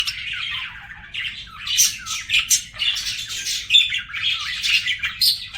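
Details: Pet budgies singing indoors: a continuous busy warble of chirps, squeaks and scratchy notes, bright and high, with louder bursts every second or so.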